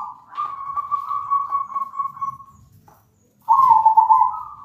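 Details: Lure recording of a zebra dove (perkutut) to draw other doves into singing: a sustained vibrating coo of about two and a half seconds, silence, then a louder, stronger trilled burst.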